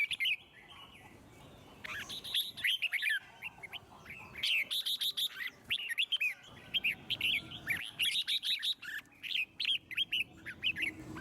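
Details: Red-whiskered bulbul singing to stimulate other birds to sing; lively bursts of bright, warbling whistled phrases with quick rising and falling notes, several overlapping songsters, after a quiet opening second.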